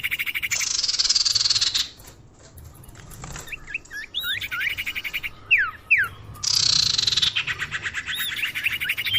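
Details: Common iora lure call, used to attract birds: dense buzzy trilled bursts of chirps lasting over a second each, with sharp rising whistled notes and quick squiggles between them, all high-pitched.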